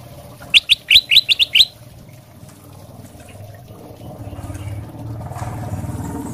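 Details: Ruby-throated bulbul of the 'sutra' type singing to draw answers from other birds; a brisk run of about six sharp rising whistles, followed by steady low rumbling noise that grows louder.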